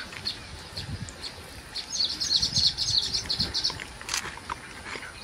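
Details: Baya weaver calling while weaving its nest and attracting a mate: a dense buzzy chatter of high chirps held for nearly two seconds, with scattered clicks and low rustling noise beneath.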